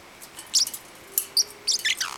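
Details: Young pet parrotlet, nine weeks old, loud high chirps while wanting to play and chasing another bird; short sharp calls in three bursts, some sweeping down, over a faint indoor hum.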